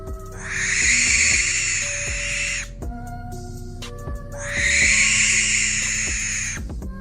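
Barn owl giving two long, harsh, hissing screeches of about two seconds each, with soft background music playing underneath.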